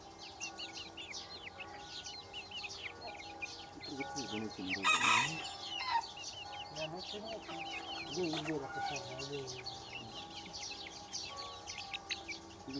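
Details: Baby chickens chirping: a dense flock of high, short, arched peeps that overlap continuously, with a loud harsh burst near the middle and some low clucking sounds underneath.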